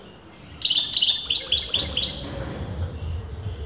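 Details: European goldfinch singing, its sex a matter of dispute among leading breeders: one fast run of about ten bright, high chirping notes in under two seconds, then quiet with low background rumble.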